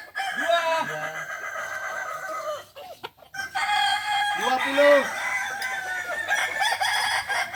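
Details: Crowing practice match of balenggek cocks, Kota Solok: tiered, descending crows rise and break into stepped notes, a brief lull midway, then another long layered crow from competing roosters, faint talk underneath.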